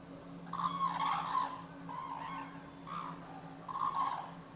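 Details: Captive black-necked crane at Akan International Crane Center, Japan, recorded January 8, 2006. Four loud, honking calls with rich overtones come at irregular intervals over a steady low mechanical hum.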